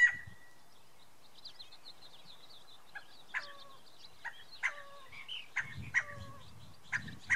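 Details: A male Scaled quail on top of a house roof, May 24, 2013, moving from corner to corner while calling. Several short, harsh squawks arrive at irregular intervals, some ending in a dropping tail, with low rumbling handling noise between them.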